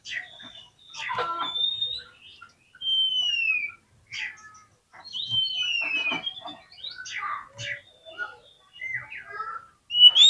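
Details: Oriental magpie-robin singing as a lure to draw a fighting response from tail-shy birds: a moderately loud, varied series of whistled slurs, downward-sliding notes and short chirps, with brief pauses between phrases.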